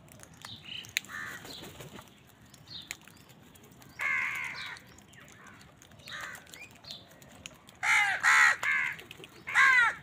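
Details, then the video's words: Hoarse caws from crows fighting with wild birds for food, single calls at first, then a quick cluster of three loud caws near the end, with light chirping in the background. "কাকের ডাক Crow Sound"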